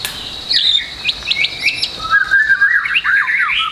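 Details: White-rumped shama training song for young trotol birds. Sharp whistled upsweeps at first, then a dense, rapid, scratchy warbling jumble that grows louder toward the end.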